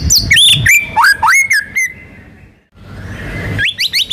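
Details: White-rumped shama in gacor song with ngerol and nembak fills, used to prompt other birds to sing. A fast burst of swooping whistles ends in a long flat note, then a quiet pause and a few sharp notes again.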